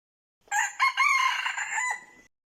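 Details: Decoy red junglefowl rooster used for trapping wild birds, crowing once: a short opening note, then a loud, harmonic, sustained crow of about 1.5 seconds ending in a drawn-out tail, in otherwise quiet surroundings.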